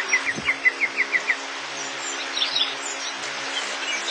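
A crested bunting gives a quick run of about eight short, bright chirps in just over a second. Fainter high calls from other birds and a low hum follow.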